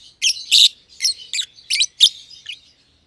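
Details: Pet personata lovebirds, green and green pied, share an aviary and give about six harsh, buzzy chirps at a steady pace, followed by softer trailing notes.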